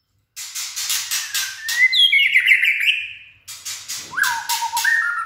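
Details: White-rumped shama in top form with a steely voice: a run of sharp clicking bursts, then a fast warbled trill, more clicks, and closing pure descending whistles.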